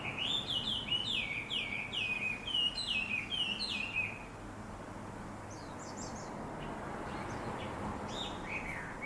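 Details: Birds gathering in a big black locust tree beside a home in town, singing busily around sunrise; about four seconds of rapid, repeated high chattering notes, then fainter scattered chirps over a soft hum.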